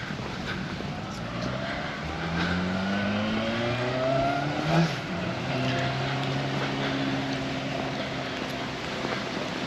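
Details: Street traffic on 31 December 2023 in Magaluf, Mallorca, Spain, with car engines revving and passing, faint voices, and no animal sounds.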